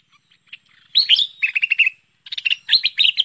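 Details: Bulbul known as merbah pet pet or lekir, recorded in 2021 to lure the bird: near-silence, then a loud slurred note, a fast series of even chirps, a pause and renewed bubbly chattering.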